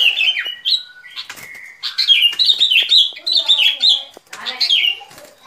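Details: Sooty-headed bulbul song as a trapping lure: a continuous string of cheerful, bubbly whistled notes, each bending downward, delivered in fast sets with brief gaps and a few clicks.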